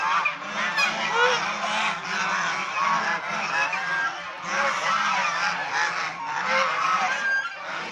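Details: Domestic swan goose group during play, bathing, rest and fights; steady crowded honking, many nasal trumpeting calls layered over one another throughout.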